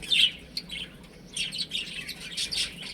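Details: Young chickens at play in a home setting, a sharp high peep at the start, then scattered short chirps and a livelier cluster of overlapping calls toward the end.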